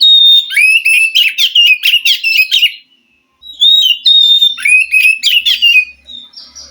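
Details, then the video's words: White-rumped shama from the wild forest, singing to stimulate a captive bird reluctant to sing; two loud bursts of rich whistles mixed with rapid chattering, rattling notes, separated by a brief pause. "Suara Kacer asli hutan mampu merespon Kacer yang malas bunyi Kacer macet"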